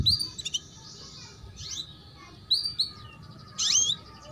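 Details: Female canary giving chirps to prompt young birds to sing and heighten breeding drive; scattered high, bright chirps and short twittered notes come in small clusters, separated by quiet pauses.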